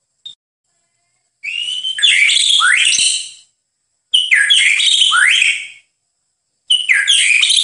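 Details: White-rumped shama song on a master recording for training cage birds: three rich, high phrases of tumbling whistles and sweeping notes, each lasting over a second, separated by short silences.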